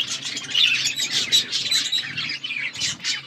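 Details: Budgerigars chattering in an aviary: overlapping high chirps and rapid squeaky warbles in short bursts, with a faint low hum in the background.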